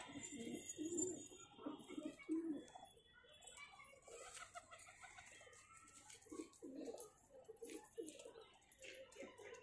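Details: Cheena pigeons, a pair, uttering deep rhythmic coos, strongest in the first few seconds and recurring later, with faint chirps and room sounds.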